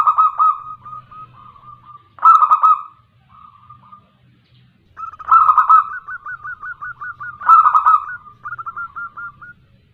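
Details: Local female zebra dove calling to males, used as a lure. Loud, mid-pitched cooing phrases come about every two to three seconds, each ending in a rapid rolling trill of short notes. There is a faint low hum in the background.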